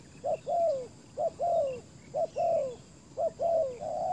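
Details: Spotted dove used as a ground decoy for wild doves. Four repeated couplets, each a short coo followed by a longer falling note. A level coo begins at the end. Faint chirps from other birds are in the background.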